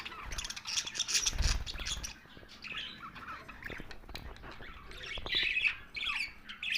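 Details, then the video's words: Several budgies chirp and warble in a busy mix of short squeaky notes and rapid twittering. A dull thump sounds early on, and the chatter grows louder toward the end. "Bird Chirping sounds parakeets Team Friends Budgies"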